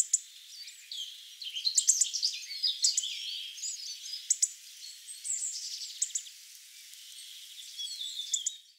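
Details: Hawfinches in Ivanovo give sharp, explosive ticking clicks mixed with thin, high twittering notes, calling in quick irregular bursts.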